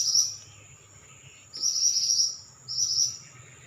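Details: Pied bushchat singing actively: three crisp, high, buzzy trilled phrases, each roughly half a second to a second long, spaced over about three seconds, above a faint low hum.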